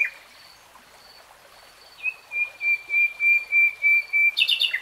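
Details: Common nightingale singing: after two quiet seconds, a pure whistled note repeats in a steady series about three times a second, ending in a harsh, buzzy burst. Faint high calls from other birds and steady background hiss.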